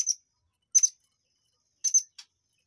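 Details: Murai air, also called air mancur, in a training recording for white-rumped shamas with sharp 'tembakan' song: three short, very high, piercing chirp bursts spaced about a second apart, each a quick doubled note, in silence.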